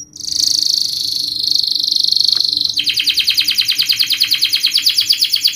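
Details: Canary singing in a fast, tight style as a lure for beginner canaries learning rolling song: a sustained high buzzy tone for over two seconds, then a fast, evenly pulsed trill.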